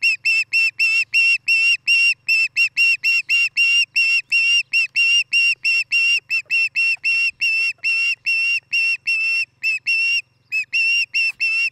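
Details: Osprey at a nest near Charlo, Montana, picked up by a nest camera on the morning of 11 July 2018: loud, clear whistled chirps repeated about four times a second for the whole stretch, with low steady hum beneath.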